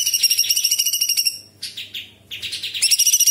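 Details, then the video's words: Actively singing cucak cungkok bulbul that imitates small birds, large birds and insects. A fast, shrill pulsed trill breaks off, then descending chattering notes lead into another rapid, piercing series. "Cucak Cungkok istimewa gacor"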